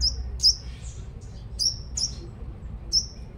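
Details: Five-coloured sunbird, Long Thành, Đồng Nai, Vietnam, used as a lure: five piercing high chirps in just over three seconds, each a brief bright upswept note with a short trailing tail, low rumble beneath.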